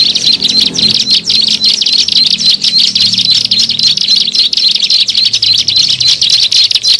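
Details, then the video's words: Bar-winged prinia lure call: fast, insistent high-pitched chirping repeated in a continuous stream, with a faint low rumble underneath. "SUARA MP3 PIKAT BURUNG CIBLEK SAWAH"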